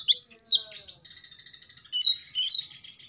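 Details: Morning song of an oriental magpie-robin: an arched, sliding high whistle, a soft pause, then two loud, clear whistled notes close together.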